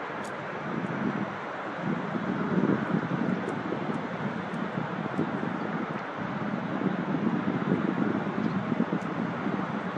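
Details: Steady wind rumble and distant traffic-like drone fill the recording, with no animal voice audible.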